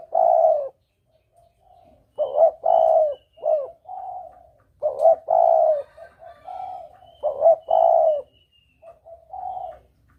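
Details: Spotted dove lure call, a clear double-coo style used to attract doves for hunting: throaty, mellow coo phrases, each a short lead-in and then a long hollow note, repeated in bursts over ten seconds, with a faint high whistle in the background.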